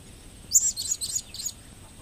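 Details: Blue-crowned hanging parrot, a kept bird recorded in 2015, giving a quick run of very high, thin squeaky chirps, the first loudest, then three or four shorter scratchy notes over a steady faint hiss.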